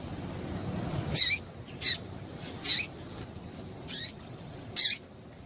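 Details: Female Double-collared seedeater calling, used to stimulate a male to sing: five short, sharp, high chirps with a quick downward flick, spaced roughly one second apart with a longer gap midway, over a faint low rumble at the start.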